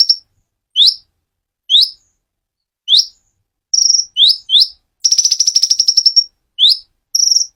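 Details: Dacok konin in full, clear-voiced song: sharp rising whistled upsweeps repeated roughly once a second, with short level whistles and a rapid high trill lasting over a second, all on a silent background.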